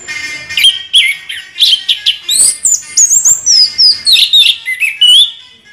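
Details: Continuous rolling song from an Orange-headed thrush, a fast unbroken stream of varied whistled notes, slurs and chirps, rising and falling in pitch and pulsing several times each second.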